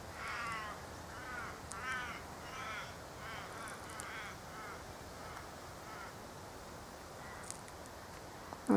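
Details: Australian ravens call in the background with a series of harsh, drawn-out caws during the first few seconds, over steady hiss. Three honeyeater species squabble nearby at a sugar-syrup feeder in a native cypress tree.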